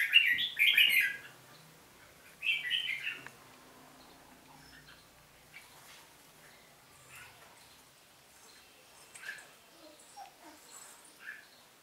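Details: Red-whiskered bulbul in competitive singing, giving two loud bright warbling phrases at the start, then faint scattered chirps and distant notes through the rest.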